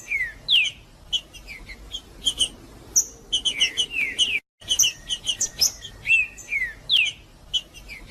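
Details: Macheando song of a green-winged saltator, sung to fire up rival males: rapid sequences of short, swooping whistles alternating with high clipped chips, delivered in dense bursts with a momentary dropout near the middle.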